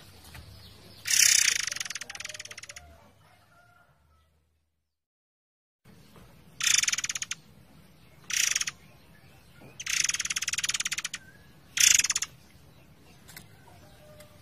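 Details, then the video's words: Forktail singing long rolling phrases in a songbird training recording with flowing water: repeated bursts of rapid, harsh, ratchet-like pulses, five separate rattles across the stretch, with a silent gap early on. "MASTERAN BURUNG MURAI AIR GACOR / Ngerol Durasi Panjang"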